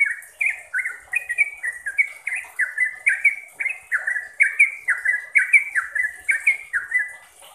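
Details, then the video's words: Sooty-headed bulbul song played to train caged trucuk: a lively, continuous sequence of short downward-slurred whistles, about three per second, steady in loudness from start to end. "BANYAK Trucuk yang jadi GACOR dan ROPEL berkat suara TRUCUKAN ini"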